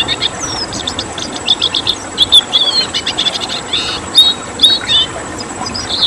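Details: Red siskin, a rare protected bird, delivering a tembakan song: rapid high chirping runs mixed with clear whistled notes and short buzzy trills in repeated bursts, over a low constant hiss.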